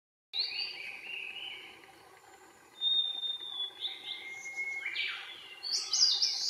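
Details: A Blue-and-white flycatcher (Cyanoptila cyanomelana), recorded in Yokohama on 18 May 2019, sings slow, clear whistled phrases sliding down in pitch, then ends with a burst of high, harsh, buzzy notes. Faint background hiss.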